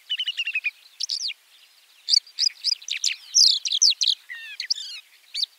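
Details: White-winged lark singing: a fast run of short, sharp chirps, then a varied, jumbled stream of high buzzy, trilled and twittering notes with brief pauses. No other sounds are heard.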